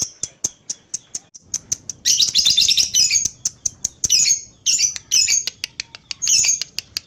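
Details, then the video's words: Lovebird in a long ngekek: evenly spaced sharp high chips, then dense bursts of rapid, harsh, screechy chattering lasting up to two seconds, separated by short pauses with single chips. "Love bird paud ngekek panjang"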